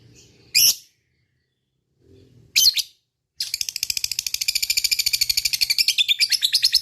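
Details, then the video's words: Lovebird in fighter mood: two short sharp squeaks separated by silence, followed by a rapid ngekek chatter of buzzy high notes that speeds up and grows louder. "Love Bird Ngekek Panjang"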